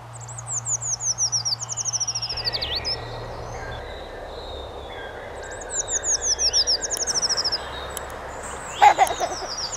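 Treecreeper: thin, very high-pitched trills of quick descending notes in two bursts, each about two seconds long, ending in a flourish; steady background hiss.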